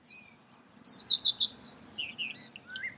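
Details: Common redstart in Escherange, France, in May sings a brief, high phrase of quick repeated thin notes that slips into a lower, scratchy twitter, over a quiet background.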